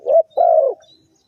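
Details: Brief spotted dove coo, linked to bird trapping: a short rising note, a pause, then one sustained, mellow coo that slides down at its close, with a faint thin whistle from another bird.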